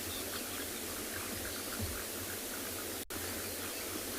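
Even broadband hiss like rushing water fills the recording, broken by one brief dropout near the end, with no animal voices.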